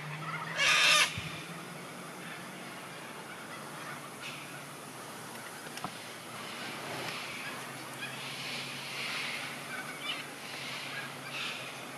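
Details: A Sulphur-crested Cockatoo at Barmah, Victoria, Australia, on 5 March 2022, in wind, gives one loud, harsh, grating screech near the start, followed by fainter, more distant raspy calls over a quiet background.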